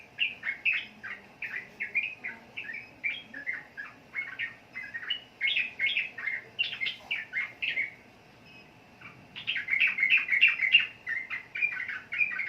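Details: Sooty-headed bulbul (trucukan) singing: rapid bursts of short chirpy, warbled notes, each falling or rising, repeated several times a second. Phrases are separated by a brief pause near eight seconds, then a denser, brighter burst follows.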